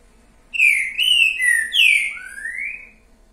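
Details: Green-winged saltator singing a 'boiadeiro'-style phrase of four or five slurred whistles, mostly level then dipping, ending in a long rising note, against quiet background.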